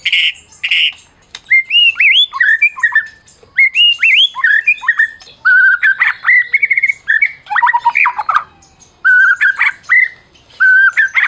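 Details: Award-winning Medan white-rumped shama whose song is used to provoke silent shamas. Rich loud phrases of looping whistles and chattering notes, repeated in bursts separated by short gaps.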